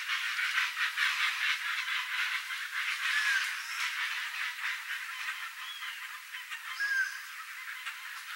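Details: Flock of chestnut-bellied guans (Penelope ochrogaster), rare and endangered, endemic to Brazil, vocalizing in natural habitat: a dense, continuous chorus of rough rapid pulses, roughly two per second, fading slightly later, with brief faint whistled notes.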